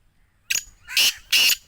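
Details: Black francolin, locally called Sindhi teetar or kala teetar. One short scratchy note is followed by two longer, loud, hoarse bursts about a third of a second apart. The background is quiet.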